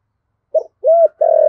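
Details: Spotted dove, 'thổ sấm' voice style, used to urge other doves to coo; a short soft note, then a sustained hollow coo and the start of a rolling, vibrating coo.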